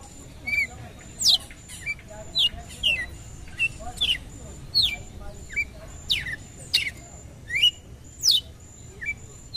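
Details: A red-cowled cardinal calls to rouse a male: a fairly steady series of bright, quick downslurred chirps, about one every half second to second, some with a short lower note following, against a constant thin electrical-like whine.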